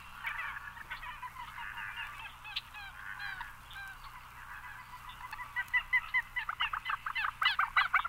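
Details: Common Gallinule with a rapid, scratchy chatter of nasal clucks that quickens and grows louder near the end into a burst of sharp cackling notes.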